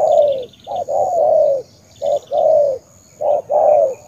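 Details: Spotted dove from Cà Mau in Vietnam calling a clear pattern of a short coo followed by a longer descending hoot, repeated three times with brief pauses, over faint high trills of another bird.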